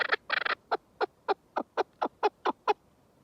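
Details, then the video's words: Chukar partridge giving a short burst of rough notes, then single falling chuk calls spaced about a quarter second apart, over faint background hiss. "کەو - دەنگی کەو - کەوی دەنگ خۆش - kekliksesi - keklik - куропатка- صوت الحجل"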